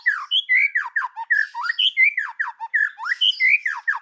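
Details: Loud, close white-rumped shama in forest-voice song, pouring out swooping whistles that fall and rise, some phrases repeated in quick succession without a break.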